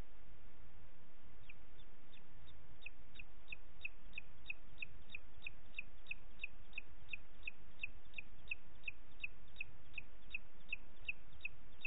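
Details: Evening call series of a booted eagle, Parc Natural dels Ports, 29 June 2021, 20:30: after a quiet start, a long regular sequence of brief high squeaky notes, about three each second, runs to the end over faint hiss.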